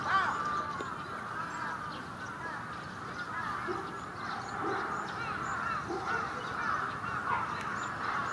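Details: Many bramblings in a big winter flock at Yoyogi Park, February 2019, calling together as a thick, continuous murmur of short overlapping notes, rising and falling slightly in loudness.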